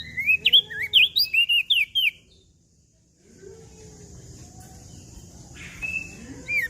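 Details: Mountain leaf warbler song: a fast run of about eight bright, whistled, rolling notes between mid and high pitch lasting two seconds, then near silence with faint low hum and a brief high note at the end.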